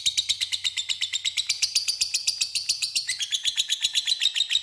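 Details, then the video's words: Lovebird ngekek used to lure a rival: a dense, scratchy trill of quick high notes repeated several times a second, the pitch easing slightly lower toward the end. "LOVEBIFD DIAM CUKUP SEKALI DENGAR AKAN IKUT NGEKEK PANJANG PANCINGAN LOVEBIRD"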